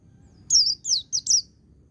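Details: Four piercing, downslurred whistles from a white-eye singing in the ngecir sambung ngalas style for song training, packed into under a second, the third note shortest, over a quiet low rumble.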